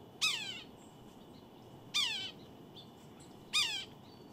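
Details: Red-breasted sapsucker giving three loud, nasal, descending mewing squeals, each with stacked harmonics, repeated roughly every one and a half to two seconds against faint background noise.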